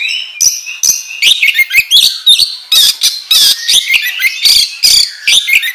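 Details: Oriental magpie-robin singing energetically as a training lure: a dense run of harsh rasping notes, sharp clicks and bright whistled phrases, mostly high-pitched and packed closely together.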